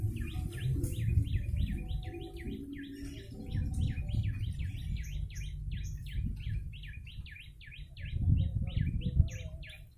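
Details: Yellow-bellied prinia lure sound: clear, high, rhythmic notes repeated rapidly in a long chain, each a quick falling-and-rising flick, over constant low rumble with occasional faint higher clicks.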